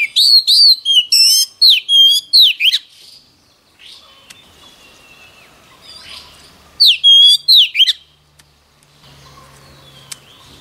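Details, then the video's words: Oriental magpie-robin singing in daily voice practice meant to get it fired up quickly: loud, clear whistled phrases with sharp rising and falling notes, bursts of rapid repeated notes for about three seconds, a pause, then another short burst. "Choè than hót luyện giọng mỗi ngày lên lửa nhanh chóng"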